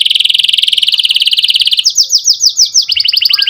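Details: Canary singing loud, fast trilled phrases: a long rapid buzzy trill, then slower swooping repeated notes, then another quick trill, used to stimulate young canaries to learn song and as therapy for canaries that stopped singing.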